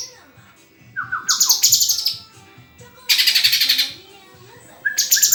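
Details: Murai (white-rumped shama) delivering short falling whistles that run into high rattling bursts, repeated in three bouts with quiet gaps between.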